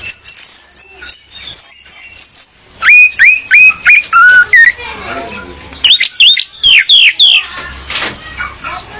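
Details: Female orange-headed thrush singing to lure a male, used as a training recording. A loud, varied run of high whistled notes, chirps and short slurred phrases, delivered rapidly with brief gaps.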